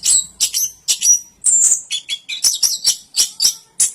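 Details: Orange-headed thrush giving short bursts of high, scratchy chirps and a drawn-out squeaky note, phrases separated by brief gaps.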